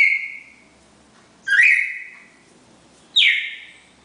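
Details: Pair of red-crested cardinals singing the classic four-note Bagé song; loud whistled notes sweeping down from high pitch, repeated about every one and a half seconds, three phrases in all.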